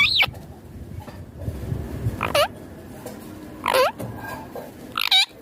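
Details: Indian ringneck parakeet, green, kept as a pet, giving short harsh squawks and rising-falling screechy notes spaced a second or more apart, with a low background hum.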